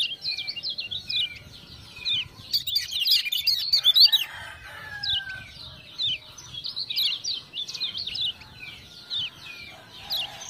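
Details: Lemon-bellied white-eye from Lombok, a tutor bird singing vigorously after ciak-ciak prompting, keeps up a long stream of high zigzag chirps, with a brief crackling burst early and a faint lower whistled slur.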